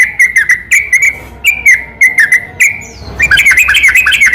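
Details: Yellow-vented bulbul lure song recorded at night to provoke lazy bulbuls. Clusters of bubbly, slurred whistles come in quick bursts, then a livelier, more jumbled warble.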